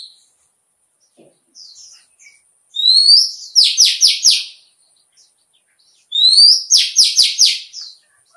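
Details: Oriental (Indian) white-eye training song for stimulating competitive singing: a high, rising whistled sweep that breaks into a quick run of bright, buzzy twittering notes, the phrase coming twice about three seconds apart.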